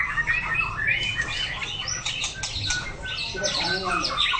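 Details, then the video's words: White-rumped shama in a training session, pouring out fast, varied whistled phrases and quick chirps, with rising and falling slurs and bright high notes over a steady low background hum. "Chòe lửa hót luyện tập lực kéo lửa (shama bird)"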